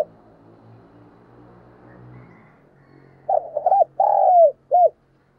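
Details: Decoy spotted dove cooing and calling: after a quiet start with a low hum, a phrase of quick stuttering hoots is followed by a long drawn coo that slides down, then one short final coo.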